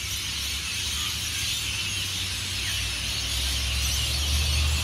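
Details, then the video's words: Hundreds of rainbow lorikeets leaving their roosts in tall Norfolk pines along Burleigh Heads Beach, Gold Coast, Queensland, Australia, before sunrise make a dense, unbroken wash of shrill screeches and chatter, with a low traffic rumble underneath. "The noise of Hundreds of Rainbow Lorikeets"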